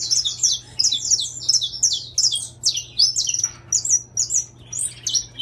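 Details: Intense yellow saffron finch in captivity delivers rapid, sharp chirps in dense phrases, notes sliding downward, grouped in bursts about every second, over a faint steady hum.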